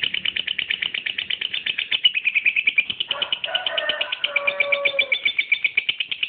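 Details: Angel lovebird singing: a fast, steady series of buzzy high chattering notes, with lower squeaky warbled notes running underneath midway.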